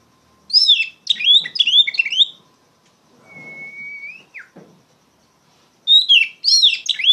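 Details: Oriental magpie-robin singing loudly in the open ngeplong style, used as a lure and to tutor untrained magpie-robins: bursts of rich, varied whistled phrases, then a long steady flat whistle ending in a quick down-slur, then more rapid warbling.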